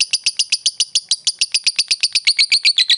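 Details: Fighter lovebird chattering as a provocation lure for a rival: quick, regular, shrill rasping notes, about four per second, holding steady for the whole stretch.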